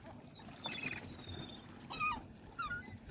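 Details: Gulls by the sea give short, squealing calls that drop in pitch, three or four in quick bursts, over a low rumble of sea and wind.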